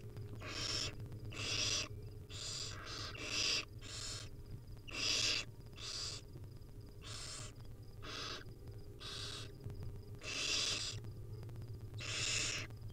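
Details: Wild barn owl nestlings on a live nest cam, hungry and being fed tiny bits by their mother: harsh breathy hisses about half a second long, repeated roughly every second, over a low steady hum and a faint regular ticking.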